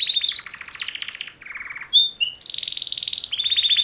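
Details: Male canaries in mating song, two males present: a rising rapid trill, a lower dry rattle, sharp whistled notes, then a steady high buzzing roll and a clear repeated-note trill.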